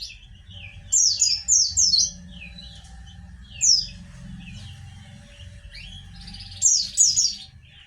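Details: White-eye song used to prompt lazy or silent white-eyes to respond: short clusters of three or four sharp, high, descending chirps, separated by quieter gaps, over low rumbling background noise.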